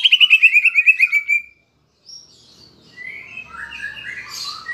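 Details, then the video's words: Greater green leafbird lure song with kapas tembak filler phrases, meant to rouse a pet leafbird to sing: a rapid buzzy trill of repeated notes falling gently, then a pause and scattered softer whistled and chattering notes. "Pancingan Cucak Ijo (Isian Kapas Tembak) Agar Emosi Jamtrok"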